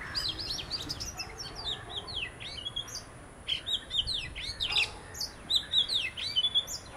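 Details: Song of an Oriental magpie-robin from a visiting pair: a rich, nearly continuous run of varied high whistles, rapid slurred notes sweeping up and down, loudening into emphatic clusters in the second half, with a quiet outdoor background.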